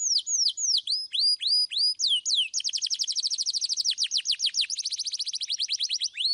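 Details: Clear-voiced domestic canary song, used as a lure for young canaries: repeated falling whistled sweeps that break into a rapid rolling trill, then return to spaced, dropping whistles.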